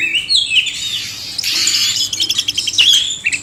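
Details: Oriental magpie-robin pair, male and female, singing: a bright rising whistle opens, then a harsh buzzy chatter, followed by quick stuttering notes and short sweet whistles.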